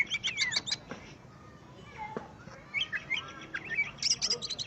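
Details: Greater green leafbird singing as it finally meets a rival: a burst of sharp, high chirped notes, then a quieter stretch with faint whistles and a clicking rustle, before a fresh run of rapid, rising and falling whistled phrases.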